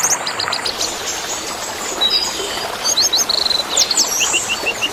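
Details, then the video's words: Orange-headed thrush song mixed with water sounds, meant as therapy for caged birds that no longer sing: high sharp whistled notes in quick varied bursts, ending in a run of evenly repeated chips, over constant watery hiss. "TERAPI BURUNG MACET DENGAN SUARA AIR DAN KICAU ANIS MERAH"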